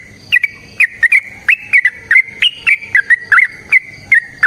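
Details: Energetic yellow-vented bulbul fighting song, used as a lure for other bulbuls. A dense, unbroken run of short, liquid whistled notes slides up and down around one pitch, mixed with sharp tapping clicks.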